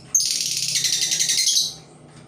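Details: Lure labet bird used to entice other labet birds to sing, giving a sustained rapid, high-pitched chattering trill that lasts about one and a half seconds before ending abruptly, with a faint steady hum behind.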